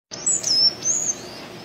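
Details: A Sayaca tanager singing free in the wild gives thin, very high squeaky notes, a short slurred phrase then a longer drawn note, over faint background hiss.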